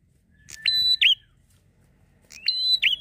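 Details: Two phrases of Bar-winged prinia ngalun song, played to lure captive birds. Buzzy clicks lead into a held shrill tone and a looping dipped ending, with a fainter lower tone running alongside.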